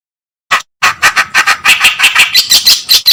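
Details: Reed warbler song used as a master recording for training songbirds such as white-rumped shama and greater green leafbird: harsh, grating, scratchy notes repeated rapidly, about three per second, after one opening note, growing slightly higher and squeakier.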